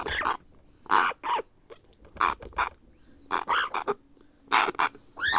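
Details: Hand-fed grey parrot chick giving begging calls: paired, gruff squawks separated by short pauses, ending with a rising whiny note.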